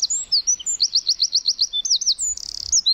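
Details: Forest wren delivering continuous high-pitched song: repeated sharp slurred notes in rhythmic sequence, a quick buzzy rattle near the end, then more thin notes.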